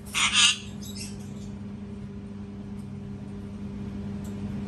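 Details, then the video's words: One harsh parrot scream opens the recording, followed by a fainter raspy trailing call and then quiet with a low hum. "PARROT SCREAMING TOO LOUD | PARROT SCREAMING SOUNDS"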